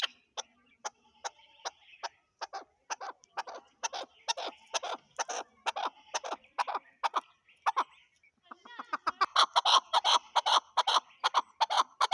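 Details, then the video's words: Chukar partridge calling in Pakistan: long series of sharp, clucking chuk notes, roughly two or three a second, building into a louder, denser rapid chatter toward the end. "chakor ki awaz zark awaz chakor voice chakor.sound"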